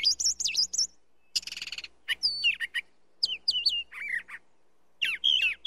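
Brown thrasher song: a run of varied phrases, quick bright whistles, a harsh buzzy rattle, then slurred rising and falling notes with short pauses between.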